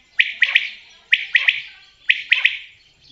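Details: Common quail giving its call: three clear phrases, each a rapid trio of bright, clipped notes, repeated about once a second in steady rhythm with a clean, quiet background.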